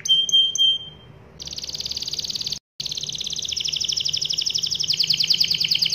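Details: A canary in full voice delivers a long rolling song meant to prompt other canaries to sing; a few short clear whistled notes open it, then a fast, unbroken high trill rolls on for several seconds.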